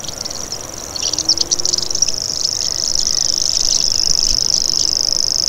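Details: Common grasshopper warbler reeling: a thin, very high, continuous insect-like buzz that starts after a second of quieter chirps and then runs steadily without a break to the end.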